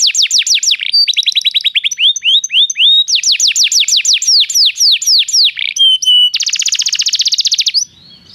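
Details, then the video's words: Canary song for encouraging a canary to sing: varied tours of falling whistled notes, short level tones, then a dense high buzzy trill before the song stops into quiet. "toque imediatamente esta espetacular canção do canário"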